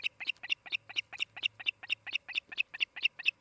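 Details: Nesting osprey at Charlo, Montana, filmed by a nest cam on 23 July 2018 in late morning, giving a steady rapid string of shrill, piercing chirps, roughly three to four each second, with quiet background.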